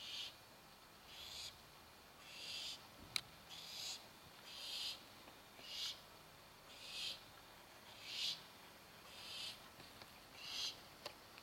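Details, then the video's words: Barn owl chicks waiting for their dinner, giving harsh hissing begging calls in bursts of about a second, repeated roughly every second over a quiet background. "Baby Barn Owls"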